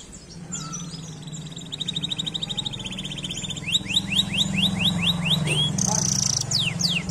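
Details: Canary singing to stimulate lazy canaries: an even trill, then a series of falling whistled sweeps and a short buzzy burst, over a steady low hum.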